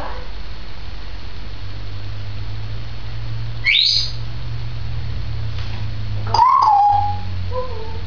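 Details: Pet Grey parrot, a two-year-old female, recorded indoors on 16 May 2010: one sharp upward-sweeping whistle, a pause, then a short, clear, slightly wavering whistle that dips and levels off, over a low steady hum.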